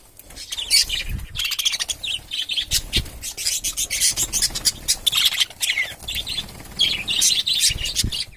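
Budgerigars chatter with busy, scratchy chirps and warbles, several birds calling over one another.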